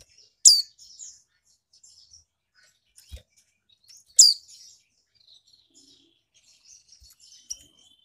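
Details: Captive female magpie-robin from Malang, East Java, calling to stimulate males into singing. There are two loud, sharp, downward-sweeping chips about four seconds apart, with faint high twitters between them.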